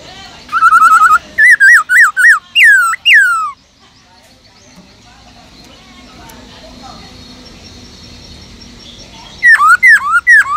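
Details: A caged black-throated laughingthrush sings a wild-style song to stimulate other birds. A rapid trill leads into loud looping whistles, then a pause of faint background noise, then a burst of sharp down-and-up whistles.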